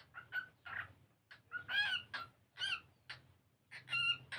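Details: Pet cockatiel singing as it plays, learning to sing and dance; scattered chirps build into longer, wavering whistled warbles, separated by gaps of quiet, over a steady low hum.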